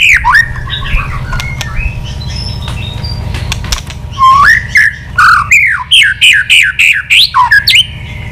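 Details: Old wild-caught white-rumped shama, stimulated into fired-up, many-voiced singing while wagging its tail: soft scattered notes, then from midway a loud, rapid run of short whistled notes that sweep up and down, with a low steady hum beneath.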